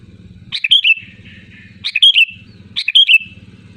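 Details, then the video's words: Loud sooty-headed bulbul giving a short bubbly whistled phrase three times, roughly once every 1.2 seconds, each made of quick clipped notes ending in a slurred falling whistle; a low droning hum fills the pauses. "SUARA ASLI GACOR LANTANG BURUNG KUTILANG"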